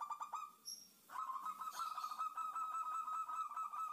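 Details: Female zebra dove calling a male, as a lure to draw out wild doves: a nearly continuous stream of quick, level cooing notes, briefly pausing once, with faint chirps from other birds behind.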